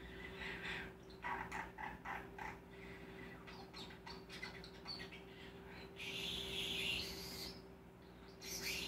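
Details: Male common starling imitating kisses, laughter, clicking, whistling, raspberries and spoken phrases, letting out rapid chirps and clicks, then a long hissing rasp and a harsh breathy burst at the end.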